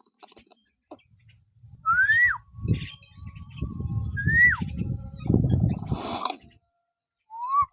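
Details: Common hill myna whistling, used to provoke caged pet mynas to sing: three clean rising-then-falling whistles spaced apart, over low rustling and handling noise in the middle.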